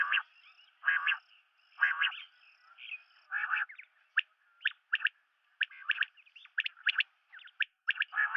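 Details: Common quail, locally called batair: a run of broad, rasping double notes gives way to quick sharp clicking notes in pairs and triplets, about one burst per second, with a faint high whistle behind.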